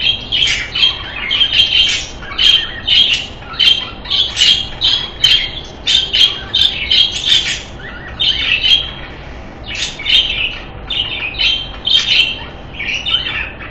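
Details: Budgerigar; call; courtship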